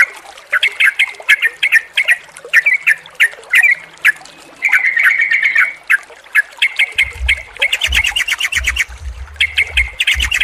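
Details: Sooty-headed bulbul sounds for stimulating a stressed bird that has gone quiet: repeated harsh chattering bursts and a longer buzzy run, with low thumping sounds joining in the last few seconds.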